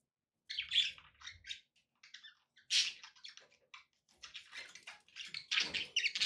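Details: Budgies chattering with background noise meant for relaxation: clusters of high, grating chirps and squeaky warbles come in uneven bursts, growing denser and louder near the end.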